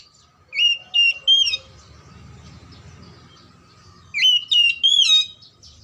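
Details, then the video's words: Lure song of an oriental magpie-robin (kacer) for birds that sing little: two groups of three loud, wavering whistled notes separated by a pause, with a faint low hum between them. "PANCINGAN KACER MACET & MALES BUNYI AGAR JADI KACER RAJIN GACOR NGOBRA"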